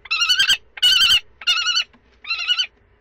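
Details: Common kestrel during the second and third prey transfers on 2 May 2013. Loud, grating trill-like calls come in four bursts of about half a second, with brief silences between them.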